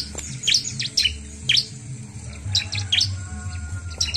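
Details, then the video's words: Bar-winged prinia, recorded to stimulate other birds: crisp, high, piercing chip notes in small groups roughly every half second to a second, a low hum running behind. "Cepat Merangsang bunyi burung Ciblek"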